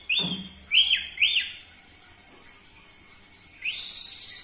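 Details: Short Orange-headed thrush lure phrases, used to draw song from caged birds: a high whistle, then three quick arching slurred notes, a silence, and a closing burst of very high twitters.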